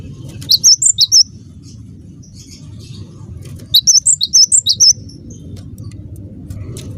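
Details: Lure call of a cinereous tit, used to draw answers from others of its kind: a short run of high piercing chirps, a pause, then a longer series of about eight, over low hum.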